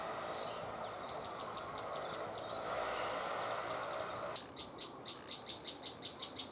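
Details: A prinia (prenjak lumut) gives a rapid series of sharp, high chirps, about three each second, rising clear of a steady background hiss after a few seconds of fainter notes.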